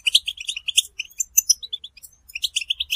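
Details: European goldfinch mating and readiness calls, used to stimulate males to sing. Crisp separate chirps repeat several times a second, broken by short pauses, with occasional higher twittering flourishes.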